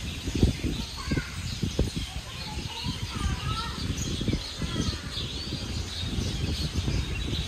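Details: Birds chirping among the trees on a windy day: short scattered chirps and slurred whistles sounding now and then through strong gusts of wind that rumble and buffet throughout.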